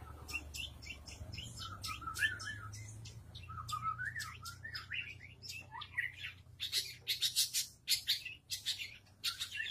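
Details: Long-tailed shrike caged in front of a house, singing steadily: rapid scratchy high notes broken by wobbling, warbled whistle phrases, then a fast rhythmic series of harsh chirps.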